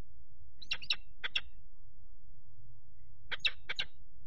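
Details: Peregrine falcons at a nest box on 4 April 2008, during attacks by a third falcon on the male perched on the grating while the female incubates. Two short bursts of sharp, harsh notes, three or four each, separated by a quiet pause.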